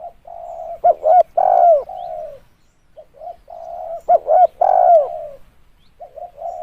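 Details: Spotted dove cooing, a call used as a lure for trapping. Two low, mellow cooing phrases about three seconds apart. Each has soft steady coos and a louder, rolling, slurred middle note. The background is quiet.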